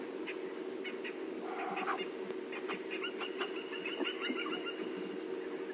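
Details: Francolin calling at sunrise on a June morning safari drive: harsh, grating notes in quick ragged bursts, several birds seeming to overlap, over a steady low engine-like hum.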